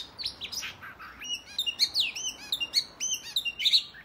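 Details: Male oriental magpie-robin giving fighting song meant to provoke other males into display, a rapid run of varied high whistles, slurred rising and falling notes, and short chirps.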